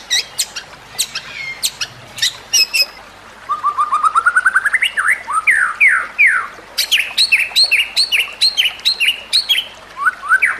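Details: White-rumped shama song meant as a master recording to train other shamas, over nature sounds and trickling water: sharp high clicks and chips, then a rapid rising run of whistled notes, followed by repeated slurred whistles and bright ticking notes.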